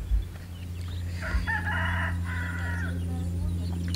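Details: Rooster crowing near a food stall in Tulungagung, East Java, Indonesia. A drawn-out crow with layered tones lasts nearly two seconds over a loud, low rumble of traffic or machinery and faint background noise.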